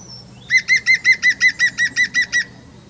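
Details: European green woodpecker uttering a laughing series of eleven loud, ringing notes at an even pace of roughly five per second, after a faint high whistle from another bird at the start.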